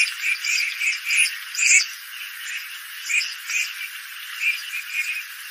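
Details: Red-crested pochards give short, wheezy, nasal call notes in loose bursts, roughly two a second, with uneven pauses between them.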